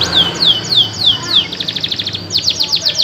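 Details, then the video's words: Local canary in full, very loud song: a series of clear whistled notes sliding downward, repeated about every third of a second, then a fast run of sharp chips and rapid high trilled notes. "Kenari Lokal Gacor"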